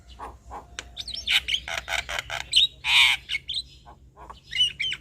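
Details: Male Javan myna song played as a lure for other mynas; chattering harsh notes, clicks and a loud raspy burst, interspersed with short whistled twists.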